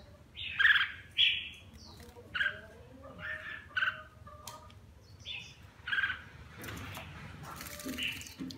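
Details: A kept red-whiskered bulbul, partial-cheeked with a lion-style crest, sings as it bathes. Quick run of warbled, slurred notes comes in bursts every half second or so, with some clattering noise near the end.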